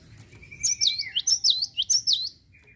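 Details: Java sparrow singing actively, used to provoke other birds into singing: a quick run of about eight high, downslurred chirping notes over a thin steady whistle, ending in a short faint tone.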